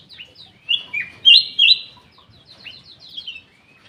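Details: Black-capped bulbul singing in an aviary. A string of bright whistles builds to two loud sustained notes, then thins into quick, high chattering chirps against a low rustle.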